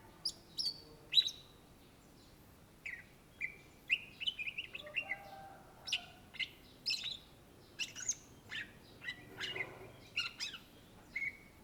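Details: Greater green leafbird singing energetically, a bird native to Indonesia: long varied sequence of clear whistles, sharp descending sweeps and chattering notes, steady bursts about twice a second, with faint low hum.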